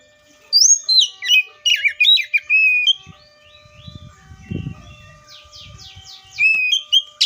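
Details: Oriental magpie-robin delivers a rapid burst of whistled, slurred notes. A few seconds of low rumbling background noise follow before a short ringing whistle phrase and a trill return near the end.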